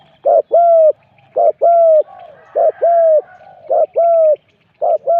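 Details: Spotted dove cooing during a decoy-luring session (ต่อนก), at spot number 41: low, hollow coos in paired phrases, a short note followed by a longer steady one, repeated about every 1.2 seconds, with faint background chirps.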